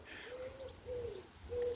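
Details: A pigeon heard in the background of a garden in Sunninghill, England, in late October 2025, cooing in low, soft hoots, three short notes about half a second apart, over faint background hum.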